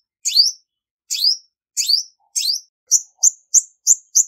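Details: A female olive-backed sunbird gives four slower, fuller chirps, then switches to five shorter, quicker, thinner notes in a fast run, against a silent background.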